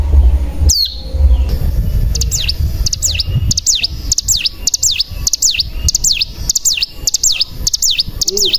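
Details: Cigun song played as a lure for caged mountain tailorbirds: a loud whistle, then high V-shaped swooping notes repeated about twice a second over low rumbling background noise.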